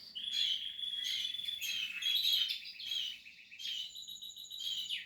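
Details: Nestling Portuguese harlequin canaries calling continuously, a bright high chatter of thin squeaky notes and trills rising and falling in loudness, with a short pause near the middle.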